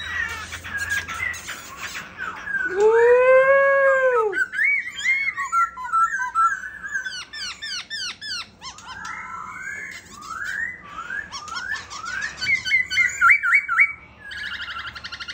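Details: Caged white-cheeked laughingthrush singing and dancing: a long varied medley of low curving whistles, squeaky rising notes, fast repeated chips and rattling trills, loud throughout with brief pauses between phrases.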